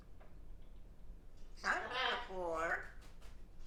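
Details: Young pet African grey parrot, chatty indoors in the afternoon, gives one speech-like phrase of about a second and a half: warbling, harmonic tones that rise and fall like a short spoken sentence, set against quiet room hiss.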